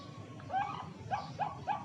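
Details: Bangkok-type zebra dove with a melodious voice, kept for singing contests in Jepara, Central Java: a few short rising cooing notes, soft and staccato, over low background noise.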